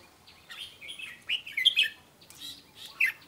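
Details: Soft song of a red-whiskered bulbul: brief rolling warbled phrases with a few brighter liquid notes, separated by short gaps, fairly faint.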